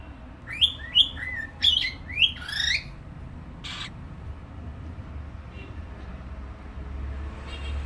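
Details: A cockatiel gives a quick burst of loud, bending whistled notes in the first three seconds. One harsh squawk follows, then quieter background.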